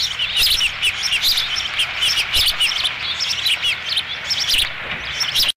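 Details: Nest osprey on Dunrovin Ranch, 13 July 2016, as the fifth fish reaches the nest, giving a continuous stream of thin, high, rapid chirps that overlap and pulse without a real break before ending abruptly.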